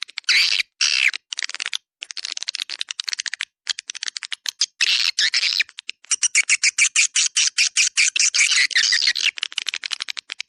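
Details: Swiftlets calling to attract their kind: steady rapid clicks, roughly two or three a second, mixed with buzzy, trilling twitter bursts, forming a crowded, high-pitched chatter.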